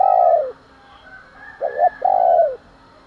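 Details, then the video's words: Spotted dove cooing, used to provoke fighting and morning calling: a low, hollow, breathy coo, then two short quick notes and a longer falling coo, all in under three seconds, with faint background hum. "cu gáy thúc đấu, và gáy gọi buổi sáng"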